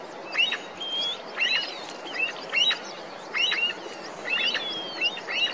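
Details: Snow partridge in the Srikantha valley, upper Garhwal Himalaya, Uttarakhand: loud, piercing, rasping squeals roughly one a second, echoing across a high meadow above the tree-line below a snow tongue, with thin whistled notes between over steady wind hiss.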